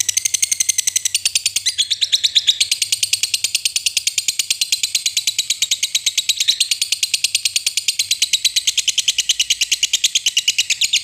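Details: Lovebird ngekek, a long chatter used to prompt lazy lovebirds into singing: a continuous rapid buzzy trill of high repeated notes, about three per second, running unbroken for eleven seconds with slight shifts in pitch.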